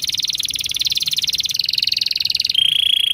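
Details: Captive canary singing in the Indonesian 'gacor panjang' style, used as a lure to prompt other canaries to sing: a long, very fast, even trill of high notes that steps down slightly in pitch near the end.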